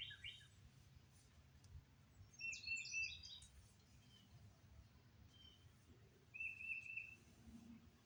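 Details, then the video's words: Wild birds singing in Oklahoma on May 22 after storms moved east: short bursts of high chirps and a buzzy trilled phrase, repeated a few seconds later, over low background rumble. "Bird Sounds"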